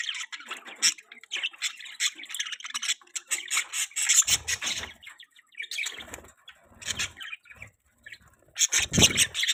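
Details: Budgerigars chatter busily in an outdoor aviary, overlapping scratchy warbles with wing flaps and low bumps.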